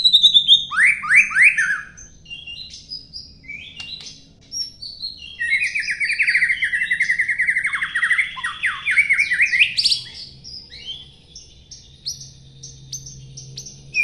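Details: Long-tailed white-rumped shama in varied song: short sweeping whistled notes, then a sustained rich, warbling, buzzy phrase lasting several seconds, ending in higher scattered notes and quieter calls.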